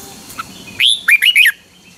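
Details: Red-whiskered bulbul of Pa La-u, Thailand, in double-style song: one quick phrase of about four clear, rising-and-falling whistled notes after a faint chirp.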